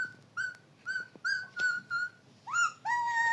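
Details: Parrot talking, producing a series of short whistled, voice-like syllables with a steady tone, then two louder rising, harmonic-rich phrases at the end, in a quiet indoor space.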